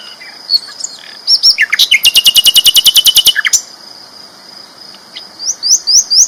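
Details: Sikatan londo flycatcher sings a loud, energetic training song: a few chips, then a long ringing trill of about fifteen identical rapid notes, and later a short series of high upslurred whistles.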